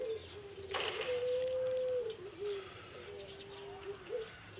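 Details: A male Pelung ringneck dove, whose voice was lost after six months in a breeding cage (possibly from a cold), under rehabilitation, gives a low coo swelling into a long steady note, then shorter lower coos, after a wing-flap rustle; Barbary dove.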